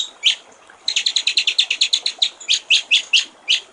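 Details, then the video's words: White-rumped shama in clear-voiced water-trickle song: a single sharp whistle, a pause, then a quick run of even high chips followed by several spaced, louder falling whistled notes. "masteran murai batu/ suara jernih gericik air"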